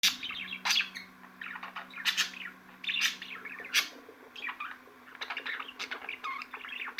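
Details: Budgerigars chattering in a lively overlapping warble of quick chirps, rising and falling squeaks and sharp clicks, with bursts of louder high notes about every second; a steady low hum runs underneath.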